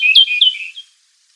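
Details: Song of the Okinawa nightingale, a quick run of sweet, high whistled and warbled notes that fades out after under a second, followed by silence.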